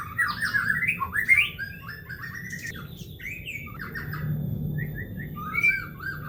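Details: White-rumped shama (murai batu) song meant as a lure for birds at home: varied loud whistled phrases, rich warbles sliding between low and high notes, with brief pauses, over a steady low hum.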